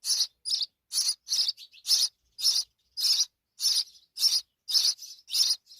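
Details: House sparrow mother with her babies: a dense chatter of buzzy, rasping chirps, nearly two per second, some overlapping in quick doubled notes.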